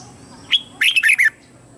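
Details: Decoy red-whiskered bulbul singing to lure wild birds into a fight: a lone clear note followed by a rapid three-note warbling phrase, bright and loud, with little else heard.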